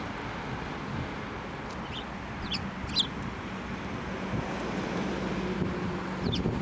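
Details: Eurasian tree sparrows fed from the hand at a Tenmangu shrine, 7 November 2023; scattered sharp chirps, a few close together around the middle and one more near the end, over constant low ambient noise.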